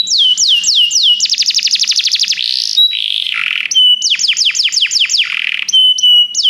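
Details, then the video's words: Canary song played to stimulate a pet canary to sing: rapid trills of descending whistled notes, fast buzzy rolls and sliding tours, all high-pitched and loud, with brief pure whistles between phrases. "seu canário vai cantar muito, ouça imediatamente essa música"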